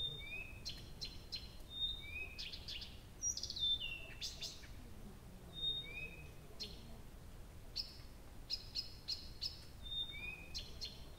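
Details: Nightingale singing at night in Abramtsevo in early June, recording begun at 23:00 on 6 June 2021; repeated pure whistles alternating with rising slurred notes and rapid clicking trills, phrases every second or two, faint low hum beneath.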